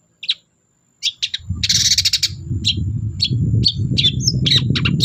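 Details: Long-tailed shrike song meant to prompt silent shrikes to sing: scattered high sharp chirps and a brief harsh buzzy burst, soon accompanied by steady low rumbling noise throughout.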